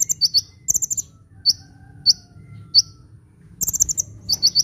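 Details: Sunbird, a 'gacor' (lively, constantly singing) bird used to lure birds and prompt idle birds to sing: very high, thin chirps in quick clusters of three to five, with short gaps between bursts.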